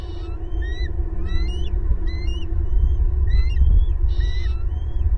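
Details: Bald eagles vocalising at a Florida nest tree in April, adults and two youngsters all present: quick strings of sharp piping whistles, some notes swooping upward, delivered in irregular clusters over a constant deep rumble.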